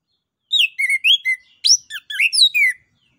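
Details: Loud 'ngeplong nembak' song of an orange-headed thrush, used to stimulate other birds: varied whistled phrases with rising and falling slurred notes, delivered in quick succession with short gaps.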